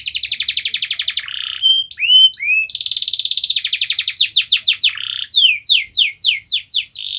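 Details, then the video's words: Varied canary singing, used to coax a reluctant bird into song, with fast rattling trills, upswept whistles, a long bright rolling trill and a series of sharply falling chirps near the end. "Kenari Anda MALAS BUNYI"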